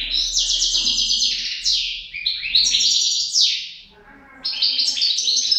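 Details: Goldfinch couple in song: fast metallic twitters and buzzy slurred notes in long runs, a short quiet gap, then renewed bright twittering.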